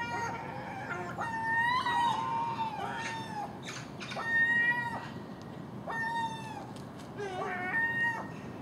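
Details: Common gulls calling in the early morning while feeding on garbage left out overnight at a house, alongside a magpie and crow; a series of drawn-out, tonal, slightly falling cries repeat through the stretch over a steady low background hum.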